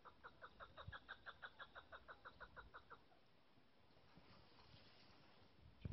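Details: Female chukar partridge giving a quiet series of about eighteen short clucking notes, evenly spaced and rapid over the first three seconds, followed by faint background hiss with no further calls.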